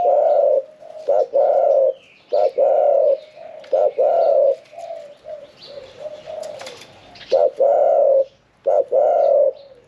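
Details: Caged spotted dove, kept one year four months seventeen days, a middle-voiced singer of the 'khan yon 1 kuk' style, not yet entered in competition. It gives deep, rolling cooing phrases in loud bursts, separated by short pauses and softer murmuring coos.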